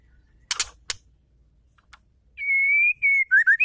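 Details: A female white-rumped shama, singing to prompt males to sing. Two loud clicks are followed by a long steady whistle, then quick dipping and rising whistled notes.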